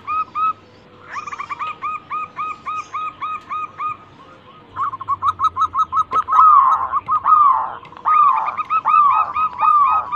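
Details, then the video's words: Local zebra dove, a frequent singer used to lure others: a quick series of crisp hooked notes, a pause, then slower drawn, arching coos repeated about once a second. "Pancingan burung perkutut lokal gacor pintar merayu cepat bunyi"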